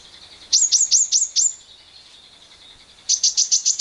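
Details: Shrill lovebird ngekek used to provoke other lovebirds into singing, with wild birds present: a few sharp, downward-flicking high notes, a pause, then a rapid burst of piercing pulsed chatter.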